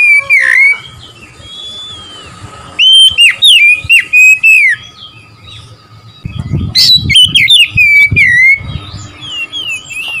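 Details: Oriental magpie-robin song used to provoke rival birds: a falling whistle, then a pause, then fast loud whistled phrases with crisp clicks. A later passage mixes rasping notes and lower rustling noise.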